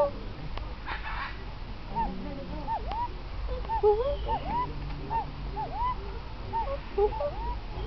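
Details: Female fireback pheasant at Birdland, described as getting chatty, giving short, hooked, nasal calls, several a second and overlapping as if more than one bird; a low rumble beneath with faint human voices.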